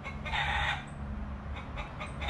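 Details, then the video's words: In a Grand Cayman backyard in the afternoon, with rocky ground, some grass and trees and many chickens about, a rooster gives a loud, hoarse crow, then a few short, rough notes over a low rumble of wind. "rooster won't shut up"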